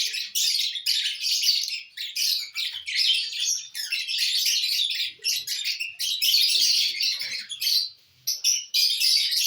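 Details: Lovebirds eating corn on the cob keep up loud, dense, high-pitched chattering chirps, nearly unbroken, with one short lull near the end.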